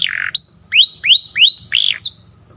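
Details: Morning canary song made of clear whistled notes that each rise steeply and then hold level. A short trill and a sharp high note follow, then the song fades into quiet.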